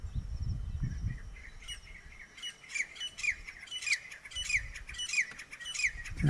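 Sirkeer malkoha giving a run of about nine sharp, high, down-slurred notes, roughly one every two-thirds of a second, after a low rumble of wind.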